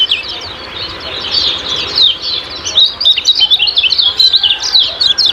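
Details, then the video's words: Kecial kuning lure song in the ciak-ciak manner: starts softly, then builds into a continuous string of sharp, high, jumbled chirps. "Master Kecial Kuning Ciak Ciak Gacor Banget"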